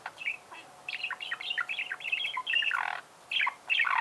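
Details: Budgerigar warbling in a steady stream of short chirps, clicks and squeaky notes, getting louder toward a harsh scratchy burst near the end before more bright chatter.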